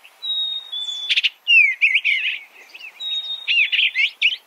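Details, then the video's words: A thin, drawn-out whistle followed by a crisp chip and a cascade of slurred, downsweeping warbles, attributed to an Eastern bluebird, the sequence then repeating. "Suara Burung Eastern Bluebird - Eastern Bluebird Bird Sound"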